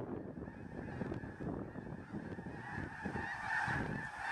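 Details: Thousands of snow geese resting on a farm near Freezeout Lake, Fairfield, Montana, on Easter morning, March 23, during northward spring migration; a dense, continuous roar of overlapping honking calls with low wind rumble throughout.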